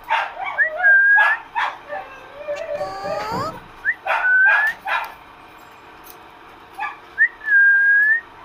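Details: Pet parrot talking with its owner indoors: clear whistled notes that slide upward then hold steady, repeated three times, mixed with a rapid run of rising voice-like chatter in the middle and soft clicks.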